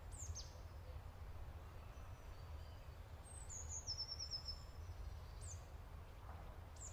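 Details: Black-throated munia, also called Jerdon's mannikin, a resident of southwest Indian hills: thin, very high-pitched calls, some sliding downward, with a short rapid trill near the middle, over a steady low rumble of background noise.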